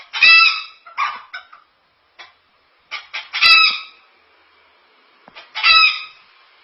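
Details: Cockatoo copying chicken sounds with a run of loud, nasal, harmonic squawks and short clucks, separated by brief pauses and ending in another drawn-out squawk.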